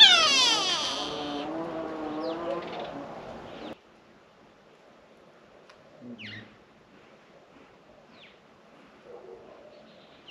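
A grey go-away-bird gives one long, nasal, bleating call lasting nearly four seconds. Afterwards only faint, thin chirps from other small birds are heard.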